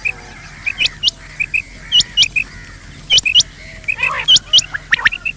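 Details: Quail, male and female calls, known locally as batair: short bright chirps and hooked whistled notes in quick irregular clusters, with loud bursts around the middle of the clip.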